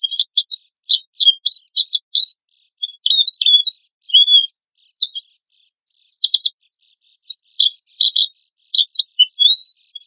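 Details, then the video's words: Oriental white-eye singing energetically in harsh bursts, used as a lure: a long, fast, high-pitched twittering of short chirps and quick slurs, nearly continuous with brief pauses, clean and free of background noise. "PANCINGAN PLECI GACOR TEMBAKAN KASAR"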